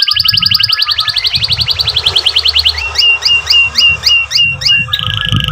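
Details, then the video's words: Canary singing vigorously for young learners and birds that stopped singing: a fast chirping trill that slows into separate sharp downslurred notes, then a steady roll, over low background noise. "Kenari Gacor Cuit Cuit EMOSI"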